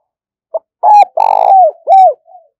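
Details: Spotted dove coo sequence for luring and training decoys: a quick note, a hooked coo, a long burry coo sliding down, a rounded final coo and a faint trailing murmur.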